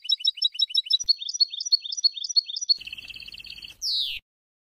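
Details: European goldfinch song used to tutor young birds, 2020: a rapid run of paired high tinkling notes, then a buzzy twittering trill and a loud harsh descending note to finish.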